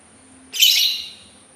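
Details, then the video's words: A single rasping, hissy call from a Sultan tit, lasting about half a second and fading out gradually; a thin constant high tone runs underneath. "suara burung labet Sultan"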